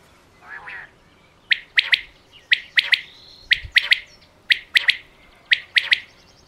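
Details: Common quail calling: five crisp, high three-note phrases spaced about a second apart, each triplet quick and evenly stepped, with a softer, lower rasping note before several of them.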